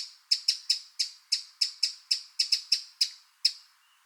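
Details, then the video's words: Wild Eurasian wren giving a steady run of sharp, dry, high-pitched tick notes, roughly fourteen in four seconds, evenly spaced with one longer gap before the final note. "Eurasian Wren Sound – Song & Bird Calls"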